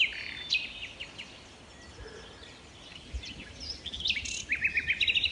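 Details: Wild common nightingale singing in Kent woodland, one of three singing within a hundred meters: scattered high whistled and chipping phrases over steady background hiss, building to a fast, regular series of sharp repeated notes at the end.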